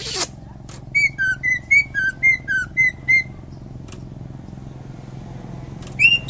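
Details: Greater green leafbird from Indonesia, a champion bird, singing a series of clear whistled notes alternating between two pitches, about nine in a row, over a low steady hum.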